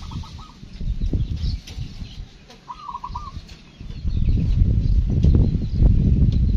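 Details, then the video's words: Zebra dove of local stock in a countryside village at morning, two brief stuttering coo phrases standing out before a swell of loud low rumbling noise, with soft bird chatter high above. "PERKUTUT LOKAL GACOR"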